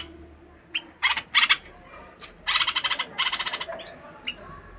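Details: Bulbul kept in a cage, singing to stimulate a female to mate: a short chirp, then loud rasping bursts of quick pulsed notes in rapid series, ending with a thin whistled note.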